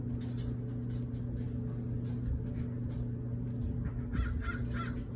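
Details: Scarlet macaws at play: three short, harsh, raspy squawks follow one another quickly near the end, over a steady low hum.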